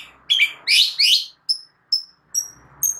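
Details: Caged white-rumped shama training song: harsh buzzy rasping notes open the phrase, followed by short high pure whistles repeated roughly every half second.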